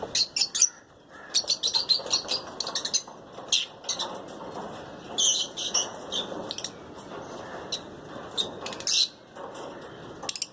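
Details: Caged lutino lovebird pairs give scattered bursts of high, scratchy chirps, some in quick clusters and others spaced seconds apart, over a faint background hiss.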